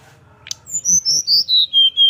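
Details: Sunda forktail in 'nyuling' song, sung with open beak to spur other birds to sing. A single sharp click leads into six loud high whistles, each slightly lower than the last, evenly spaced.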